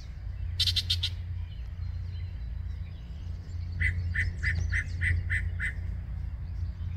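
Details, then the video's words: Yellow-breasted chat in song, Osborn Metropark, Huron, Ohio, May 23, 2023, morning: a brief harsh burst of rasping notes, a pause, then seven clipped chuck notes in quick succession, with a low rumble throughout. "Yellow Breasted Chat singing"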